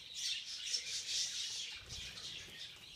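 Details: Many budgies in a feeding frenzy give an unbroken wash of shrill chirping and twittering, steady throughout with no pauses.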